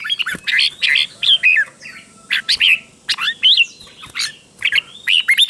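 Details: Red-whiskered bulbul teacher song used to train and stimulate caged birds, with clear doubled phrases. Bright whistled, warbling phrases in short bursts, some sliding up and down, in three loose groups with brief pauses between.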